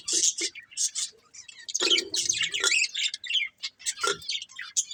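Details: Budgie breeding pair giving separate sharp chirps and squeaky, rising and falling notes in short bursts, with gaps between phrases and a few lower rasping notes.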